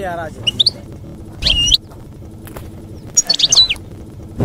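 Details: European goldfinch singing campero-style song used to teach young birds to sing; scattered high tinkling twitters broken by a short nasal, buzzy note, then a burst of liquid rising and falling notes, with quiet gaps between phrases.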